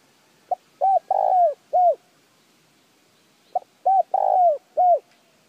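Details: Spotted dove cooing, used to stir decoy birds into calling: two phrases, each a short soft note, a low cooing note, a long rolling coo that falls at its end, then a final falling coo, about three seconds apart. Quiet background.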